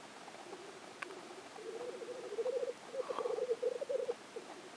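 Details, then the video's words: Black grouse displaying at the lek in Innvik, 2014, giving a low bubbling, cooing roll that starts faint and swells into rapid pulsed gurgles in two long phrases, with a short click near the start. "Orreleik i Innvik 2014"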